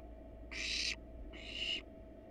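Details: Barn owl pair resting on their nest box with nestlings inside, wild birds under research monitoring; two drawn-out breathy screeching hisses, each under half a second, separated by a brief pause, with soft hum behind.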